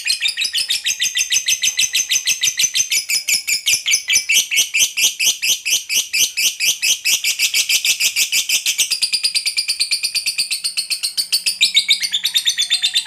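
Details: Long ngekek from a fighter lovebird, a chattering song meant to draw other lovebirds into singing: high, harsh pulses rattle on continuously for some thirteen seconds, quickening slightly near the end, with no other sounds clearly heard.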